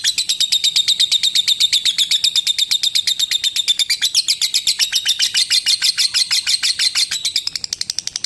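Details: Long ngekek from a lovebird, used to train other lovebirds: steady, rapid high-pitched chips, roughly two a second, piercing and metallic, fading slightly at the very end.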